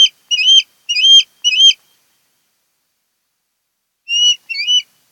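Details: Osprey from a mated pair at a nest on Kent Island, Maryland, recorded on 10 August 2018 around 02:30–03:30: three sharp, high whistled chirps in quick succession, a pause, then two more similar rising chirps.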